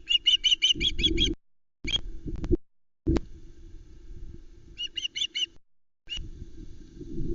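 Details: Ospreys at Loch Arkaig, 19 July 2020, three chicks contesting a fresh whole trout. Opens with a quick run of seven high, sharp chirps, later broken groups of three or four, amid gusty low rumbling and knocks.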